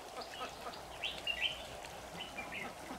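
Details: Red-whiskered bulbul singing as a trap lure bird on 26 September 2019; a loud cluster of bright, slurred whistles in the middle, then softer short notes, over a constant rural noise bed.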